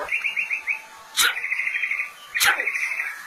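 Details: White-rumped shama giving a run of short, evenly repeated chirping notes, followed by two loud sharp clicks, each trailed by a steady buzzy trill.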